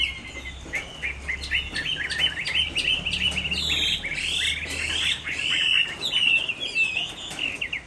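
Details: Rainy-afternoon song of a Chinese hwamei, Hai Phong, Vietnam: a busy stream of clear whistled notes, then fuller, louder ringing phrases in the middle. Brief bursts of sharp broadband clicks and a low hum run underneath.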